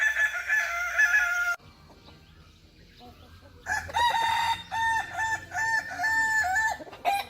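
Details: Hobby-kept Kukuak Balenggek chicken crowing: a ringing phrase at the start, a quiet gap, then a long series of stepped, harmonic crow syllables repeated in quick succession.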